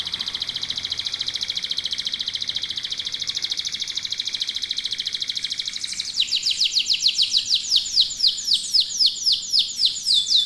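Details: Canary song holding a long, very fast buzzing trill for about six seconds, then switching to a slower series of loud sweeping slurred notes repeated rhythmically.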